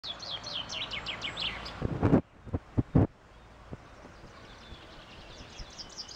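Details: Common chaffinch singing a quick series of high, bright notes that tumble downward over about two seconds. Loud knocks and thumps follow, then background noise, with faint high notes returning at the end.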